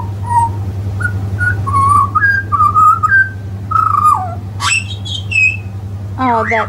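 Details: A butcherbird perched on a stick in a garden sings a string of clear, flute-like whistled phrases, rising and falling, ending with a sharp upward sweep, over a steady low hum.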